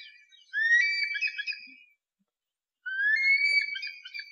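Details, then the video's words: An eagle calling while stalking its prey gives two long, clear whistled calls that rise and then hold steady, each about a second long with a pause between, and no other sounds. "Suara Elang ketika mengintai mangsanya"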